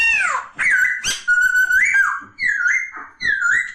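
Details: Loud, rich whistled phrases from a poksay laughingthrush, each note sliding down then up, delivered in steady bursts about every second with a few harsh overtones.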